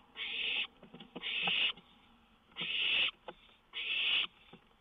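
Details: On a lookout past 1 AM on 19 May 2013, an owl gives four loud, harsh hisses about half a second each. Faint clicks and scratchy sounds fall between them, with a songbird nearby.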